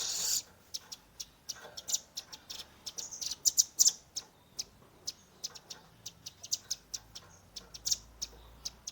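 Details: Young velvet-fronted nuthatch in 'tembakan' shooting song, recorded with a Redmi 10: spaced high ticking chips with a brief denser flurry midway.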